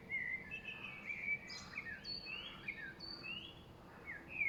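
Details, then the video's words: Birds chirping on a spring late afternoon, 5.3.2023, a blackbird said to be the loudest voice: continuous flowing warble of rising and falling whistled notes, overlaid by short sharp high chirps from other birds. "Spring birds chirping (birds chirping late afternoon)"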